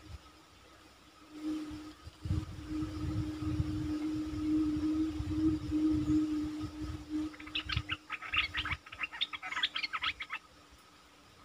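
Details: Bulbul calls used for luring, recorded 24 September 2021: after a long low droning hum, a burst of rapid, high, scratchy chattering notes repeated several times per second, then quiet.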